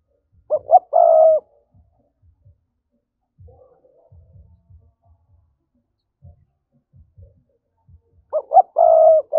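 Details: Spotted dove coo used as a lure to stir up wild doves for trapping, in the urging 'thúc' style: two low, mellow coo phrases at the start and end, each with short notes leading into a longer hollow coo, and soft low thumps between.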